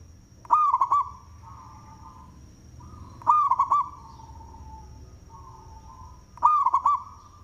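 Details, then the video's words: Zebra dove of local stock with a powerful voice, singing as a lure bird: three loud phrases of quick rolling coos, about every three seconds, separated by quieter sustained coos from other doves and a steady high background whine. "Perkutut Lokal suara BESAR Manggung"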